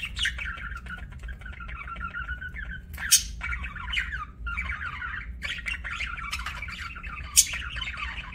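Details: Budgerigar chirping in long stretches of continuous scratchy warbling, broken by two sharp high clicks or squeaks, over a low steady hum.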